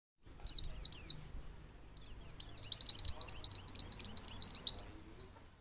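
A white-eye sings very high, thin, slurred notes. After a few opening phrases, it breaks into a fast, steady run of about four chirps a second.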